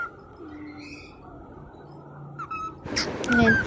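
A cockatiel gives soft, clear whistled notes, then a louder burst of mimicked 'peekaboo'-like syllables near the end, over faint room noise.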